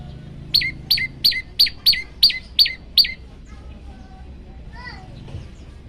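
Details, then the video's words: {'caption': 'Master training recording of an olive-backed tailorbird: eight sharp, descending notes in quick even succession, then quiet with a few faint softer chirps and a brief wavering call in the background.'} "masteran burung prenjak lumut variasi"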